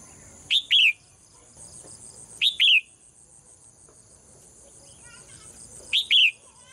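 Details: Female bird singing in a cage in the morning, giving three bright two-note chirps about two seconds apart, each a short high note then a longer falling one; steady high-pitched hum behind.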